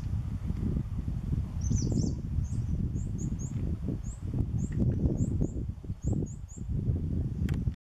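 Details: Fire-capped tit (Cephalopyrus flammiceps), call.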